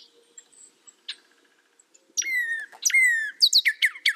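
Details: Northern cardinal giving loud, clear whistles that drop in pitch, then a quick series of steep downslurred notes, after a quiet stretch with scattered faint chirps.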